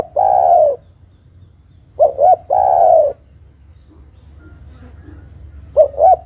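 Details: Female spotted dove, calling to the male, repeats a hollow cooing phrase: two short notes and a long, gently falling coo, heard roughly every two to three seconds, with faint background noise between phrases.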